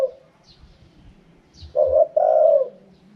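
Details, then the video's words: Single phrase from a Spotted dove in the wild "karom pa" style: a brief double-pulsed note, a gap, then a long, smooth, low coo that tapers off. Faint high chirps from other birds are in the background. "เสียงนกเขาใหญ่ คารมป่า"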